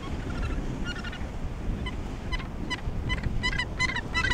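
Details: Australasian gannets at the Point Danger colony near Portland, Victoria, Australia: quick series of short, clipped harsh notes increasing toward the end, from several birds, backed by heavy low rumble of wind and waves.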